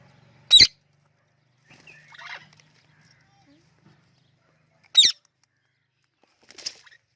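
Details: Talking Indian ringneck parrot making clicking sounds, kept alongside other parrots: two loud, sharp, dry clicks about four seconds apart, with soft chattering noises between them in an otherwise quiet room.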